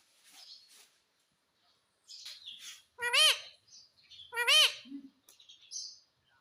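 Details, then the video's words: Pet parrot that talks, saying mitthu and mummy; soft chatter first, then two loud arched, nasal syllables about a second apart, with quieter chirps between them. "मिट्ठू मिट्ठू बोलेगा तोता _ मम्मी बोलने वाला तोता मैना _ parrot sound"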